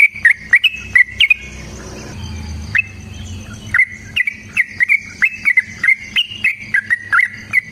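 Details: Long fighting song of a yellow-vented bulbul, played to get other bulbuls singing: rapid run of short whistled notes with sharp attacks, a brief pause with low rumbling early on, then a steady stream of chirpy phrases.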